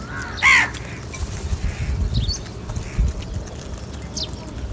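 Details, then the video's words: Crows in a large flock calling for food: one loud, harsh, nasal caw opens the recording, followed by faint distant calls and thin high chirps from other birds over low outdoor rumble. "Huge numbers of crows Call for different foods"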